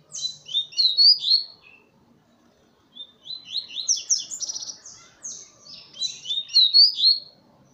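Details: Double-collared seedeater perched on a hand gives two bursts of rapid high chattering warble separated by a short silence, the notes tumbling and sliding quickly.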